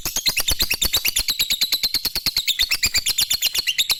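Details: Sweet lovebird song: a dense, rapid, chattering trill of high buzzy pulses repeated about three times a second, steady throughout.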